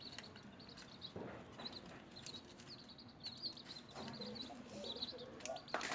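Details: Small newly hatched chicks at feed, bright high peeps coming in clusters, mixed with tapping and rustling sounds and a few lower calls.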